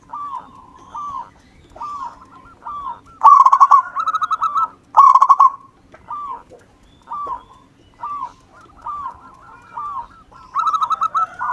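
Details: A local wild zebra dove, used as a lure, gives soft, rolling coos around one pitch, repeated in short phrases, with a few louder, harsher bursts breaking in between.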